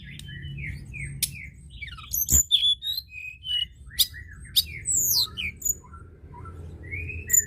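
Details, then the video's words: Energetic white-browed shortwing song meant to rouse other birds into calling; a busy stream of high, thin twittering and slurred whistles with quick downward sweeps, broken by a few sharp clicks over a soft low rumble. "Tledekan gunung gacor!!! ampuh pancing emosi burung bahan"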